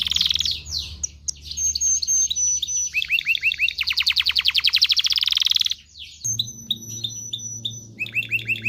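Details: Mating-stimulation song of a canary: varied phrases mixing buzzy rolls, a rapid high trill, short rising chips and a sustained thin whistle, with a faint low hum beneath.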